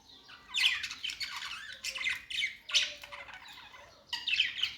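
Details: Singing budgies, described as cute and happy: harsh squawky chatter in separate bursts about a second apart, rasping and buzzy, with short quiet gaps between phrases and one thin whistled note.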